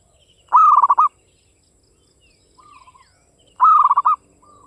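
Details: A local Java zebra dove answers with crisp classic Mataram-style song. A level coo dissolves into rapid rhythmic pulses and repeats after about three seconds. A fainter dove calls in between.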